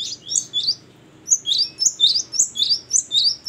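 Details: Great tit (gelatik batu) in ngeplong and gacor song: a few quick high notes, a one-second silence, then an evenly spaced run of ringing whistles about every quarter second.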